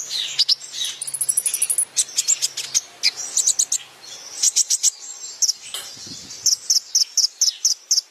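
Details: High, rapid sunbird song used to teach other birds: a brief ringing trill near the start, dense twittering, then evenly spaced sharp chirps repeated about twice per second.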